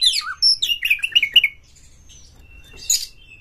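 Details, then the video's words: Oriental magpie-robin lure song for provoking other birds: quick tumbling sequence of whistled and twittering notes lasting over a second, then a thin sustained tone and one harsh burst. "Pancingan Kacer ini dapat Mendongkrak EMOSI PANCINGAN KACER TOP BUKA EKOR"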